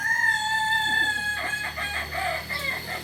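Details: Kokok Balenggek rooster, native to Solok in West Sumatra and famed for crowing in three to nineteen tiers: a long steady clear note gives way to a quick series of short, bouncing stepped syllables.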